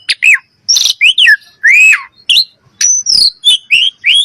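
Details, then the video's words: Common myna uttering a series of short whistled and croaking notes, some rising, some falling, with a harsh burst and a sharp high whistle near the end. "common myina bird"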